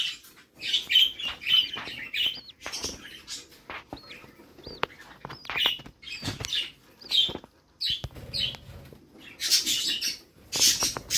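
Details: Budgerigar family in a nest box, mother feeding chicks; mixed sharp rising and falling whistled peeps alongside raspy bursts of begging, with short quiet gaps between notes.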